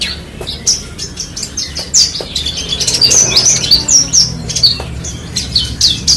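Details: Horsfield's bush lark (branjangan) singing a dense, rapid stream of high, sharp chirps and short twittering phrases with quick up-and-down slurs, building in loudness through the middle; a faint low hum underneath.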